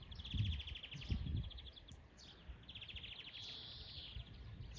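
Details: Twittering trill phrases from a wild European greenfinch, with a drawn-out rising wheeze in the middle, heard outdoors over faint low background noise.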